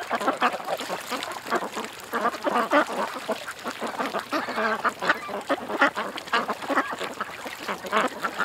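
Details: A crowd of ducks at a creek keeps up a noisy chatter of short, hoarse quacks, some louder calls standing out against the constant babble.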